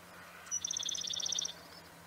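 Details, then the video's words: Sedge wren song: a single high introductory note, then a fast, dry trill of about fourteen evenly spaced high notes lasting around a second, with steady faint background hum. "Corruíra-do-campo (Cistothorus platensis) Sedge Wren"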